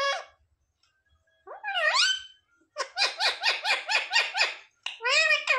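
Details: Talking parrot (tota) indoors, imitating words such as "mummy papa": a rising drawn-out syllable, then a fast run of about eight rhythmic, choppy syllables and a final wavering phrase.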